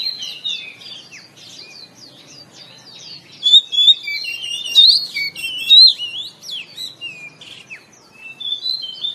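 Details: Oriental magpie-robin singing in the morning as song therapy for caged birds: a quiet run of chirps building into louder whistled, rising and falling phrases from the middle onward.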